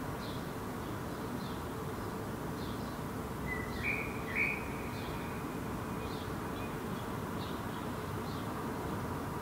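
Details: Herring gull fledgling standing in a park in Helsinki, Finland, in July 2016, vocalizing while preening and gesturing: two thin, high whistled notes close together mid-clip over a steady low rumble like distant traffic.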